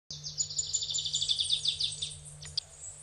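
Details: Adelaide's warbler (Setophaga adelaidae), endemic to Puerto Rico, singing in Sierra Bermeja, Cabo Rojo: a fast, high, thin trill of rapid notes for about two and a half seconds, ending in a couple of separate chips, over a low steady hum.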